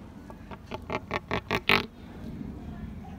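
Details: A pelican in a bad mood at Featherdale Wildlife Park gives a run of about seven harsh, grunting pulses that quicken and grow louder, ending on the loudest, over a low background rumble.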